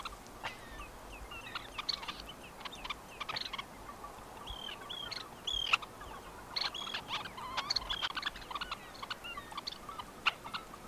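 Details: Several Red-necked Phalaropes, wintering or passage birds, in Tainan, Taiwan, on 20 September 2015, give short, sharp, high chipping notes in loose irregular bursts over a steady background hiss.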